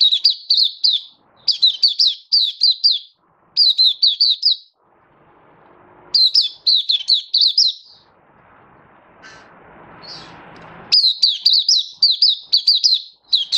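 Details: Mata puteh, or oriental white-eye, kept by a bird hobbyist and recorded 24 February 2023, pours out short bursts of rapid, high, flicked chirps separated by pauses, with muffled background noise in the gaps.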